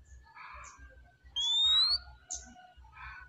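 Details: Relaxed oriental magpie-robin song: a single clear, rising whistle among quieter, buzzy warbles and brief chirps, over a faint low pulsing hum.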